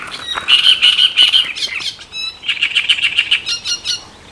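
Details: Great reed warbler singing along the Elbe river in Germany: loud, harsh, grating chattering notes in two rapid bursts, strong high buzzy phrases with short clicking syllables between, separated by a brief pause.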